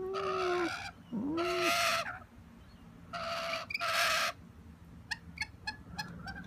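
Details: Begging wild rainbow lorikeets at a windowsill give four long, harsh raspy screeches in two pairs, with low curved wavering tones beneath, followed by brief sharp ticking chirps.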